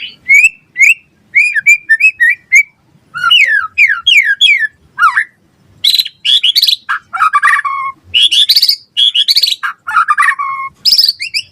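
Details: Singing white-rumped shama in full gacor form, meant as a lure and master song for other birds: short whistled notes repeated in pairs, falling slurred phrases, then harsher buzzy chattering bursts alternating with sweeping whistles.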